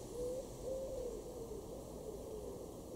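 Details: A Eurasian collared dove in a garden in Weener, East Frisia, northwest Germany, in August 2022, gives soft, low, hollow coos in a steady repeated phrase over a faint background rumble.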